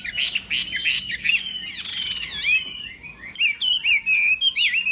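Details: Chinese hwamei morning contest song: short sharp notes, then a sweeping looping whistle and a series of clear slurred phrases.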